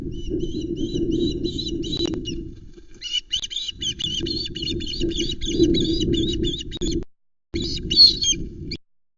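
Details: Young Osprey calling loudly on the Loch Arkaig nest, 16 August 2020, as an adult male arrives with a mackerel, recorded by nest camera. Urgent, dense bursts of high, piping whistled chirps, briefly pausing, then resuming, over low wind noise.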